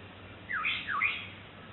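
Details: Black-headed Oriole calling to its chick in April: two short, nasal, downward-slurring notes in quick succession, each dropping in pitch, over a low steady background hum.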